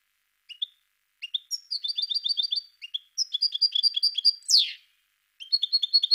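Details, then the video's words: Song of a parva goldfinch: short opening chips, then rapid rhythmic phrases of repeated twittering notes, a harsh buzzy descending rasp, pause, and more quick chirps. "Chant de chardonneret parva Goldfinch"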